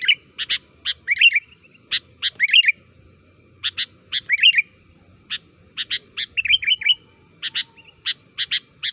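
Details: Sooty-headed bulbul call for luring wild bulbuls and prompting caged ones to sing: crisp chirps in twos and threes, interspersed with bubbly descending phrases and a quick run of warbled notes.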